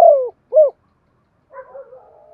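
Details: Spotted dove used as a lure to set other doves cooing: two short falling coos near the start, then after a pause a softer, fainter warbling coo. No other sounds.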